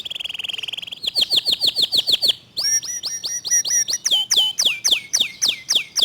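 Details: Local canary singing fast, tightly packed 'tembakan' phrases with a clear tone: a buzzy high trill, then several runs of sharp repeated sweeping notes, each run shifting pitch and pattern.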